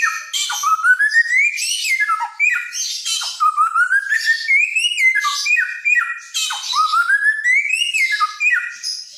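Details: Helmeted friarbird, a bird of Nusa Tenggara known for imitating many songs, sings loudly: long rising whistled slurs climbing in pitch, broken by harsh squawky drops and bursts, repeated in phrases of about two seconds.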